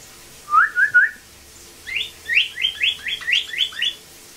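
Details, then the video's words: Learned northern cardinal song from a rehab blue jay: three rising slurred whistles, a short pause, then eight quick downslurred notes in an even series. "Bluejay Imitates Cardinal"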